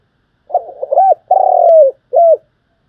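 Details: Spotted dove coo sequence used to attract birds for trapping: broken, stuttering low notes lead into an arched coo, followed by a drawn-out trilling coo dropping at the end and a short clean closing coo.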